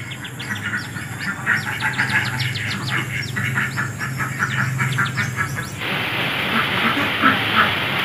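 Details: Wild bar-winged prinia, previously released, vanished, and now returned after raising young, gives a rapid run of thin, high chipping notes about three per second over a low engine hum, then a burst of broad hissing.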